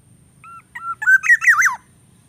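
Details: Greater coucal chick in the nest being fed a rat head by its parent; a short sequence of thin whistled notes building into loud, harsh, warbling squawks lasting about a second, over faint low background hum.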